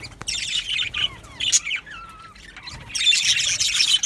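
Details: Budgerigars in an aviary: bursts of buzzy chirping alternate with several clear whistled notes that slide down in pitch, before another outburst of dense chatter.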